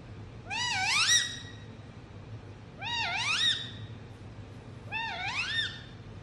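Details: Three repeated swooping calls from a pet Indian ringneck parrot, each falling briefly then rising in a harmonic, meow-like wail, spaced about two seconds apart against a low background drone.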